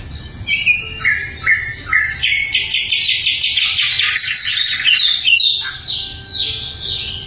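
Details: Lively sikatan londo flycatcher song, loud and clear, used to train other songbirds. Short whistled notes step at different pitches, then build into a dense, scratchy, fast-pulsed high warble before ending in scattered notes.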